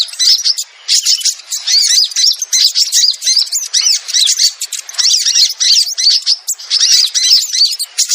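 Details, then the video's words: Crimson sunbird, locally sogon, lure call for birds reluctant to descend: shrill, crowded twitters and fast squeaks in rapid clusters, one short pause near the start, otherwise unbroken chatter. "Suara Pikat Sogon"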